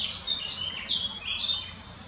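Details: European greenfinch foraging in the Botanical Garden in Munich, giving a quick run of high, slurred twittering notes that rise and fall, packed into about two seconds, with low background rumble.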